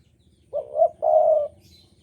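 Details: Javanese spotted dove, keen to sing and in strong breeding mood, gives one low two-part coo: a short wavering note, then a longer steady hooted note, against a quiet background.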